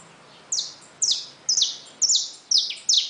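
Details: Saffron finches caged alongside just-hatched chicks. A steady series of six loud, clear, falling chirps, spaced roughly half a second apart, over a quiet background.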